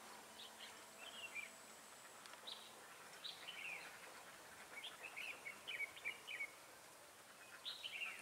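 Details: Wild red-whiskered bulbul answering a caged decoy bird during trapping, singing to fight rivals, recorded on 30 October 2018: bright short warbled phrases, repeated in bursts across the clip over faint steady background hiss.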